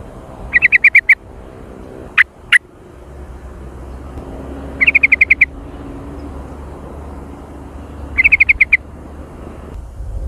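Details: Trucukan, the yellow-vented bulbul, giving jontrot-style phrases: rapid runs of about six sharp, even chirps, repeated three times with two single clipped notes between, against steady low background noise.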